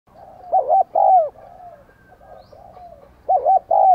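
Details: Decoy spotted dove cooing to lure wild doves and urge them to call: two loud paired coos, each a short note then a longer falling one, with softer cooing between them.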